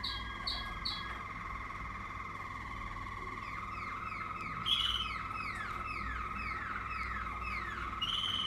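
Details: Waterslager canary of a 2020 line singing a sustained steady tone with a series of repeated descending, gliding notes, over a steady background hiss and low hum.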